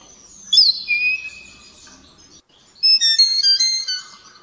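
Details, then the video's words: Common blackbird singing in a church courtyard at Paralio Astros, Greece, around midday on 23 March 2017; a high sliding note, a steady whistle, then a faster cluster of high twittering notes at the end. "Common blackbird «Turdus merula»"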